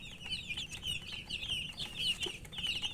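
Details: Baby chickens thirsty for drinking water, a coloured chick flock giving rapid, shrill overlapping peeps, each a short slurred note, packed densely over a faint low rumble.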